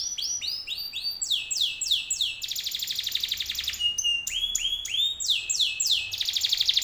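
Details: Canary lure song, meant to draw other canaries into answering: a fast, continuous run of rolling trills and rapid sweeping notes, one buzzy rattling tour after another, high-pitched and loud, with no other sounds.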